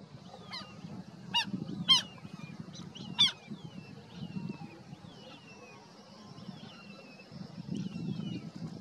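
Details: Collared plover (Charadrius collaris) giving four sharp, clipped calls within the first few seconds, over faint thin downslurred whistles and a low rumble of wind or surf.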